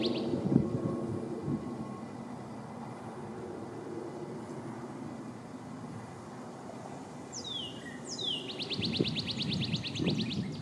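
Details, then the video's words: A male Northern Cardinal in a backyard, singing while feeding, gives two clear downslurred whistles, then a fast run of repeated bright notes, over a steady low rumble like distant traffic. "Papa Cardinal, happy camper, singing and eating!"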